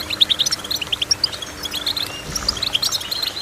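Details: Goldfinch song heard as a chain of crisp, tinkling high notes in short groups. The groups are uneven and spaced through the passage, over a low faint hum.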